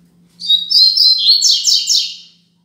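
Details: Tutor song for young birds from a Double-collared seedeater in the Braddock style 'Tui Tui Zel Zel Top': a two-second run of high whistled notes, ending in a fast triple of rasping, downward-slurred syllables.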